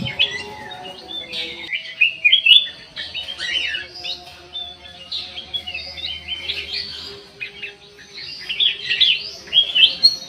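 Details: Black-crested bulbul singing in an aviary: rich, varied chirpy phrases with slurred whistled notes, delivered in rapid bursts separated by short pauses; faint low steady hum underneath.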